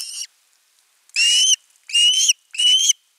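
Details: On 10 August 2021 an osprey at nest 3 calls long for fish: three drawn-out, shrill whistles, each gliding slightly upward, spaced under a second apart after a brief clipped note.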